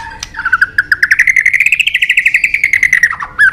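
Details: White-rumped shama fighting song in the tạch đập style, used to rouse birds and train their voices: a fast run of clipped pulsed notes, about seven per second, rises gently and then falls, closing with a sharp upslurred flourish.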